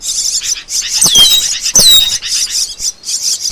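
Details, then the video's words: Asian glossy starling lure recording for trapping birds: a busy run of shrill, sharp whistles and squeaky chips, with two clear downslurred whistles standing out over a constant high hiss of chatter. "Cucak Keling"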